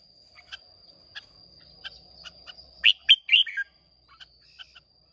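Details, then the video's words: Red-whiskered bulbul of Hòa Bình origin, a freshly caught bird, singing in contest on 30 May 2023: soft ticking notes, then a loud burst of three rich warbled phrases, then quiet ticks again, over a steady whine. "Chào Mào Hót Đấu Rất Đẹp Rất Hay"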